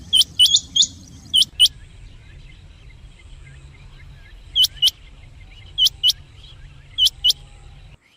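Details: Calls of rain quail, used to attract birds for trapping: sharp, high double notes repeated every second or so over a steady low hum, with a brief burst of quicker chirps at the start.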